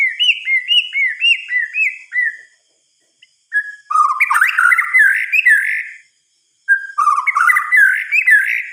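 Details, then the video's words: Night song of a white-rumped shama, opening with a run of bouncy, looping whistled notes that fall away to silence. Denser, scratchy warbled bursts with rising whistles follow, separated by short pauses. "Suara Kicauan "MURAI BATU" di Malam Hari"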